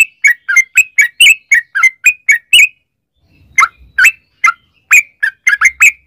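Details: Yellow-vented bulbul singing a 'ropel' song, used as a lure for other bulbuls: a quick series of gurgling chirps, a silent gap of about a second, then more chirps.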